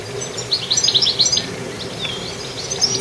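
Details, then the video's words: Goldfinch chirping: a quick run of bright, high twittering notes in the first second and a half, then a thin falling whistle and sparse softer chirps over steady low background hum. "Goldfinch Activity with beautiful Chirping"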